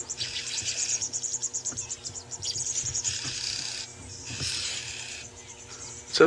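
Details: Oxpecker youngster at Djuma Game Reserve, Sabi Sand, by Kruger Park, South Africa, on an early-morning drive on 5 March 2018, desperately begging its mother for a meal: harsh, hissing rasps in bursts about a second long, repeated again and again, while a man talks throughout.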